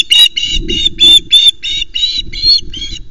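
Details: Osprey at a nest in Loch Arkaig pinewoods, Scotland, as a fish is delivered: a rapid series of about nine harsh, high, chirping squeals, evenly repeated, with low rustling and knocking at the nest.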